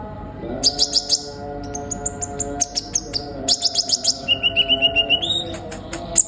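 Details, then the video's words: An Olive-backed sunbird sings bursts of thin, high, rapidly repeated notes and a quick even trill, over a steady low electrical hum; used as a tutor song to prompt young sunbirds to sing. "burung kolibri ninja gacor"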